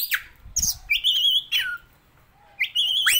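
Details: Oriental magpie-robin with loud, drawn-out whistled notes and harsh squawky bursts, broken by short pauses, with a faint low rumble beneath.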